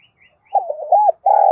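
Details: Decoy spotted dove, voice style called giọng thổ sấm, cooing to lure wild forest doves to come and fight; a brief soft note, then a gurgling, wavering coo and a longer, steady low coo ending the phrase.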